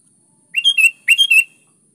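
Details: Lure recording of a sooty-headed bulbul in full song to stir silent birds into singing: a pair of short, chortling phrases of liquid whistled notes, each note dipping and rising, with nothing else heard.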